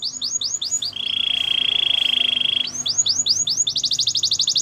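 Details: Gloster canary song with spaced falling chirps, a long even rolling trill, then faster repeated chirps and a rapid high tour.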